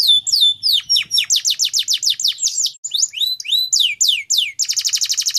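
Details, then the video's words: Singing canary used to spur others into full song: bright swooping whistles and rapid repeated chirps, shifting between phrases, ending in a dense fast trill. Slight low murmur in the background. "Pancingan Burung Kenari Agar Cepat Gacorr"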